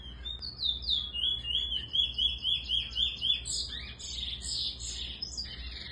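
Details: Eurasian bullfinch singing while teaching a young bird to sing; clear whistled notes, each sliding downward, repeated about four times a second, then higher, scratchier notes toward the end.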